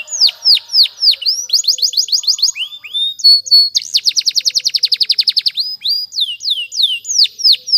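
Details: Canary training song: loud high-pitched phrases of downward-sweeping whistled notes, then a rapid rattling trill of quick repeated notes, returning to slurred swooping whistles, with no other sounds.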